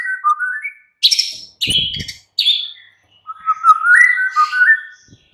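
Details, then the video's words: White-rumped shama afternoon lure song: short stepping whistles, three loud harsh buzzy notes, then a long flowing run of warbled low whistles wavering up and down. "Pancingan MURAI BATU Sore PETANG Otomatis jadikan Murai NYAUT GACOR"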